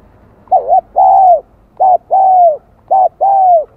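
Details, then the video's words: Spotted dove singing in the high 'giọng son' voice style, Vietnam. Mellow coos: a short dipping note, then a long arched coo, repeated three times in under four seconds, clear against a quiet background. "Tiếng chim cu gáy Giọng Son chớm nổi kích bổi"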